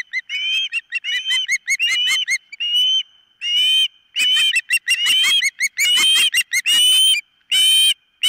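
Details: Nest-camera recording of an osprey calling: rapid series of short upslurred whistled chips building into longer, louder shrill screams, repeated roughly every half second.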